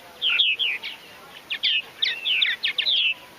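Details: Purple martins at a large backyard colony on a farm in Finger, Tennessee, during Martinfest 2013, giving rich, gurgling chirps and croaks in quick, uneven bursts, notes sliding and warbling fairly high; some audio may be slowed down.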